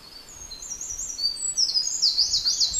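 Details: An adult Eurasian wren, nesting nearby and busily carrying food, sings from a favourite perch: a very high, rapid run of tinkling trills and twitters that grows louder and busier toward the end, over faint outdoor hiss.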